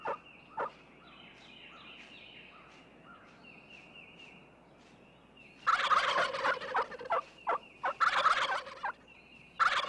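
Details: Wild turkey gobbles in springtime oak-hickory forest of the Ozark Mountains, Arkansas: loud rapid rattling bursts in two runs a second or so apart, halfway through, after a quiet stretch of soft songbird chirps.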